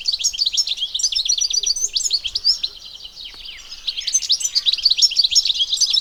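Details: European goldfinch singing in nature, a rapid, unbroken stream of liquid twitters and chirps, high and bright, briefly easing around the middle before picking up again just as busily.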